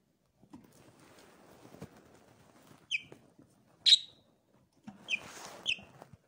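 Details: Pet budgerigars indoors give a few sharp, high chirps and squeaks among soft scratchy twittering and faint background rustle.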